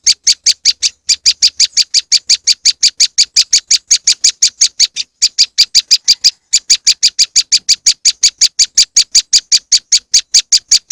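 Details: Moss wren lure: long bursts of fast, buzzy chipping notes, about five per second, broken by two brief pauses, with nothing else audible.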